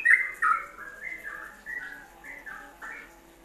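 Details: Yellow-vented bulbul in ropelan song style, a training recording for songbirds: fairly quiet bubbly whistled notes that drop and rise, a short phrase every half second or so, with faint room hum.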